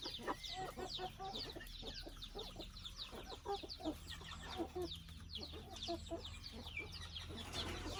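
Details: A chicken family house, where soft clucks and short grunting notes sound repeatedly under a dense, steady layer of high falling peeps, with a faint low hum behind.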